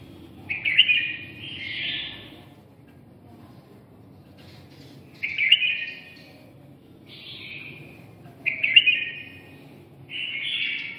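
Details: Red-whiskered bulbul from Nghe An province, Vietnam, giving repeated rich warbling phrases. Each phrase is a sharp note followed by a rolling buzzy trill. The phrases come every few seconds against a quiet low background hum.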